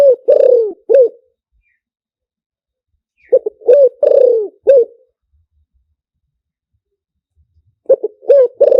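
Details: Luring song of a spotted dove in the liu tan style. Mellow low coo phrases repeat about every four seconds, each with quick short notes, a long sliding coo and a closing hoot, separated by silence.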